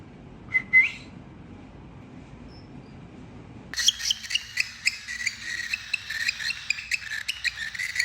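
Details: Tamed cockatiels singing as a family: one short rising whistle, a pause of near silence, then a sudden burst of dense overlapping chirping chatter that carries on to the end.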